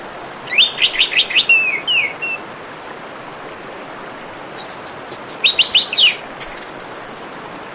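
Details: Orange-headed thrush singing beside trickling water, two bursts of rapid varied phrases: quick descending whistled notes and chips, then after a pause a fast series of sharp notes ending in a buzzy high trill.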